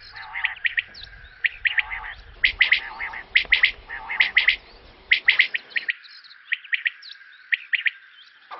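Quail giving sharp, high chirps in quick clusters of two or three, repeated irregularly, with overlapping calls and faint low rumble early on.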